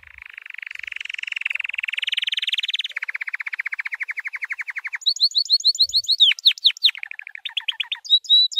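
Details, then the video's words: White canary delivering a training song: a long buzzy trill rising slightly, then a lower evenly pulsed roll, followed by bursts of high sharply swept notes and a short stuttered trill. "White Canary 12h Singing - The Best Training Song"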